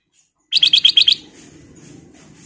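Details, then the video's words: Sooty-headed bulbul singing vigorously, a quick run of six sharp whistled notes in about half a second, followed by a soft continuous rustling background. "KICAU BURUNG KUTILANG EMAS GACOR"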